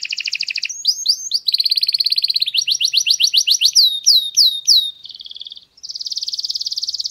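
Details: Error-free canary song used to teach chicks, switching through several tours: a rapid high trill, rising slurred notes, a fast rattling run, descending whistled sweeps, a soft buzzy passage, then a strong steady roll.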